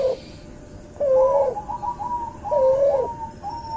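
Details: Hybrid Barbary dove, a cross of a white albino dove and a pelung dove, recorded as a tutor track: two low, level coos over a noisy background, each followed by higher, softer warbling notes.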